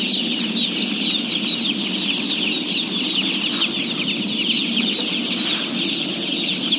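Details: A mass of day-old chicks at feeding, one of 17,000, keeps up a dense shrill peeping, countless short downward chirps overlapping into a steady wall of sound with a brief clatter near the end.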